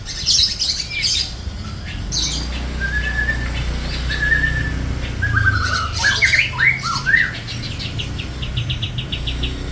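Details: Long-tailed shrike in a cage mixing harsh squawks with mimicked phrases, flat whistles, then a rapid jumble of chattering notes, over low background rumble.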